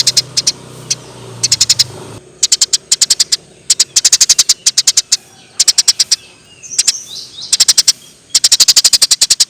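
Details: Tree sparrow chirping in gacor style for masteran: repeated groups of sharp, high chirps separated by pauses, with a low hum in the first two seconds and a faint whistled phrase near the middle.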